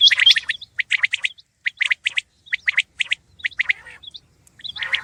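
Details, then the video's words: A common quail calls its liquid three-note 'wet-my-lips' phrase again and again, each bright, clipped trio about a second apart, with a few harsher notes between. "Khobsorat saaf Batair Ki Awaz"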